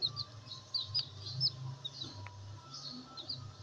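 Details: Several black bantam chicks peep in thin, high, slightly falling notes, about a dozen in under four seconds, over a low steady hum.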